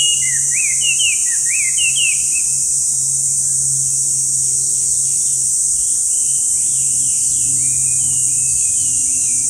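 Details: Chinese hwamei in a park, where it is often heard and rarely seen, gives a burst of sharp rising-and-falling whistles at the start, then softer, more distant phrases, with a constant shrill insect drone and a low hum.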